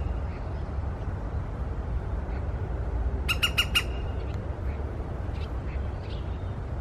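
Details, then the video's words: In the morning, a woodpecker gives a quick burst of four harsh, squawky notes, under half a second apart, over a steady low rumble of wind or distant traffic. "Dzięcioł - poranna aria"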